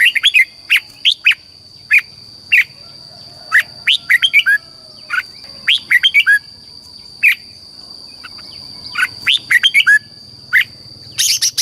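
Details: Red-whiskered bulbul from Thailand singing in the southern master style for teaching chicks and exciting caged birds: a steady series of short bright chirps and clustered warbled notes, irregularly spaced, with a continuous faint high whine.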